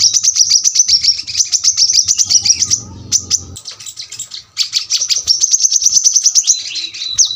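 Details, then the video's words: Brown-throated sunbird singing dense bursts of high, sharp notes in quick succession, a short lull with low background noise, then another rapid run ending in a couple of slurred whistles, the 'tembakan rapat' style. "kolibri kelapa | manggar | wiceh | tembakan rapat super tajam masteran burung korlap bahan"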